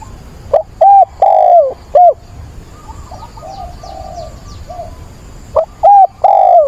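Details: Decoy spotted dove in a cage calling for a mate on 17 September. It gives two loud low cooing phrases, each a short note, a long falling coo and a crisp end note. Softer cooing from another dove sounds between them.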